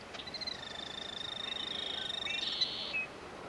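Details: Killdeer performing a broken-wing distraction display, feigning injury, on Iona Island, Richmond, British Columbia, Canada, on June 17, 1995: a long, high, thin trilled call held steady for about three seconds, ending in a brief sharper note.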